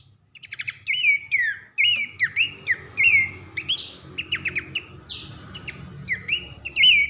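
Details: Songbird-training recording of Horsfield's babbler: a continuous stream of slurred whistles, stuttering trills and buzzy notes, loud and fast throughout, with a low hum underneath.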